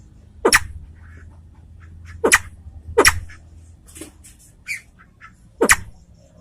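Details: Salvadori's pheasant, a white-tailed bird from Aceh: a few sharp, explosive clicking notes spaced irregularly about a second apart, with soft faint chirps between them and a low steady hum underneath.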